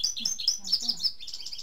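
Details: First-season indigo bunting, locally azulejo de Cuba, singing rapid high paired notes and descending slurs in a continuous string, with a faint low murmur in the background.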